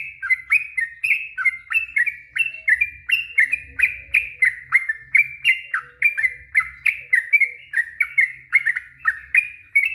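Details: Yellow-vented bulbul's long warble (ropel panjang), a lure for silent birds: ten seconds of lively chirps, each a quick upward-then-down slur, strung closely together over a faint low hum.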